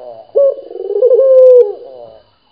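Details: Single long coo from a local dove kept for calling: an abrupt onset, a level, slightly wavering tone held for more than a second, then a fading tail.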